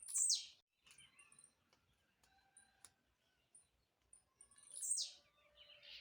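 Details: Jumping blue-black grassquit repeats its short, buzzy, steeply falling note twice, about five seconds apart, with soft clicks and faint high chips in between.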